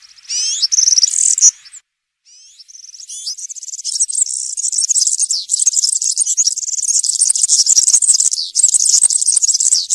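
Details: Serin singing cante campero in woodland, for young birds to learn: sliding whistled notes, a brief pause, then a long fast high jingling stream of notes.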